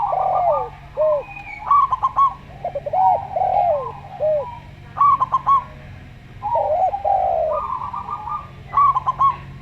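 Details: Local zebra dove in slow singing style, its quick staccato cooing trills repeated several times, interleaved with looping, downward-curving coos of a calmer Javan derkuku; constant low hum.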